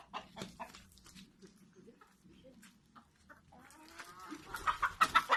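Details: Backyard chickens: rapid, uneven clucking notes, then a drawn-out harmonic call that grows louder toward the end, with soft scuffling in between.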